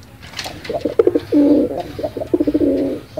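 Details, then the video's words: Pigeon cooing in vigorous voice: low, rolling coos with a throaty burr, a long sustained coo in the middle followed by a run of quick pulsed notes, in a quiet setting. "Suara burung merpati paling gacor"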